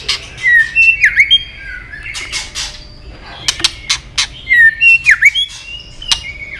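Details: Female white-rumped shama giving the 'tạch líu' call, used to fire up males for fighting: sharp broadband clicks alternating with whistled notes that slide down and up in V-shaped sweeps, repeated twice in quick bursts.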